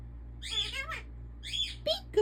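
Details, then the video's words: An African ringneck parakeet kept as a pet, talking: two hoarse, word-like phrases about a second apart, each ending in a quick upward-sliding note, over a low steady hum. "the talking African Ringneck Parrot"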